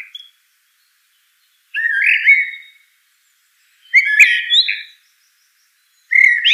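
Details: Common blackbird singing: three rich, fluty warbled phrases about two seconds apart, each sliding and wavering before a thin high twittered ending, with silence between them.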